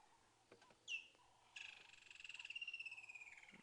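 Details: A Woodland Kingfisher at a South African game reserve on 5 February 2017, calling while a leopard rests in a tree, gives one sharp, high note, then a rapid trill running about two seconds and slowly falling.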